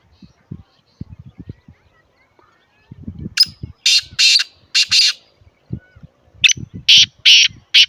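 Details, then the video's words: Teetar (grey francolin) from Islamabad, its call used to prompt silent teetar to start calling: after a man speaks, loud harsh broadband bursts come in pairs and triplets, roughly two per second. "Teetar ki Awaaz"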